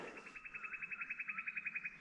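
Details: White-throated Treecreeper along a creek in woodland at a Barraba NSW travelling stock reserve gives its melodic call: a rapid, even run of high piping notes, about nine a second, with a softer lower note blurring in midway.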